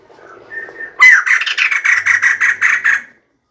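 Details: A female white-crested laughingthrush gives a loud, harsh chattering burst of about nine rapid pulses over two seconds, after a few softer notes.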